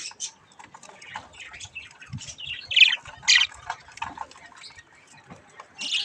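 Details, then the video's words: Young budgerigars amusing themselves at a mirror chirp and squawk in quick uneven bursts, with several louder harsh notes and light tapping sounds. "Budgies chick's mirror fun time 😅Budgies Playing Baby Budgies"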